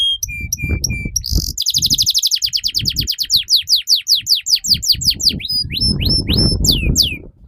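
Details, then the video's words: Long continuous canary singing meant as a tutor for young birds: a fast rolling series of descending notes, about eight a second, followed by slurred whistles and chirps over low rumbling background noise. "PANCINGAN Burung KENARI Gacor Panjang || MASTERAN Kenari Paud Agar Cepat BUNYI"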